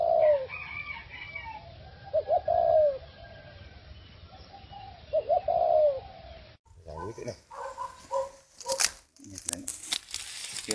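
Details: Caged four-year-old decoy spotted dove, moved to a new cage and area, gives soft falling coos of two quick notes and a longer note, followed by rustling, handling noises and a man's voice.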